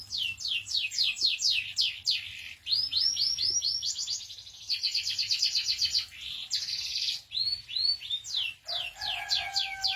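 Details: Canary song: fast series of repeated descending whistled sweeps, then trilled rattling phrases and arched notes, shifting tours every second or two, bright and high-pitched with a low steady hum underneath.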